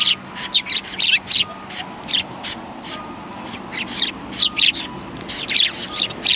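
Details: Several sparrows on a bench at Tenmangū shrine, filmed 21 January 2020. Short bright tweets come in clusters, with brief pauses between them, several birds chirping over one another.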